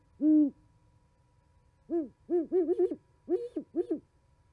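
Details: Owls chatting at an osprey nest in Charlo, Montana, 11 January 2020, in winter: one long low hoot, a pause, then a rapid run of overlapping hoots in two pitches, suggesting two birds answering each other.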